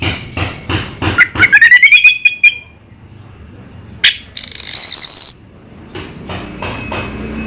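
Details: Orange-headed thrush in slow song. A string of sharp clicks runs into a rising series of clear whistles. A short hissing burst follows, then faint clicks.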